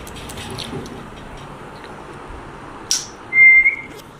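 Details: Breeding pair of African grey parrots: after a sharp click, one clear, steady, level whistle lasting about half a second, over constant low background hiss.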